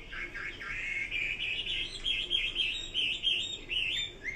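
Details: Chinese hwamei song, a steady flow of warbled whistled notes with slurred rises and falls, slightly softer, delivered without pause over a faint background hiss.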